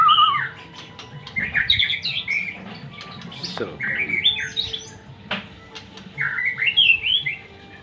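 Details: White-rumped shama giving bursts of varied whistles and chirps, with brief pauses between the phrases.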